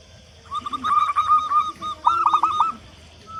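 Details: Local zebra dove, a loud singer used to coax doves into calling: two short phrases, each a quick rolling trill of soft coos followed by a few clipped notes.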